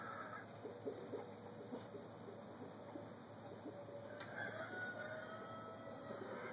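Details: Backyard chickens kept by their owner, scattered soft clucks and a few drawn-out higher squawks near the start and end, over a constant mechanical hum.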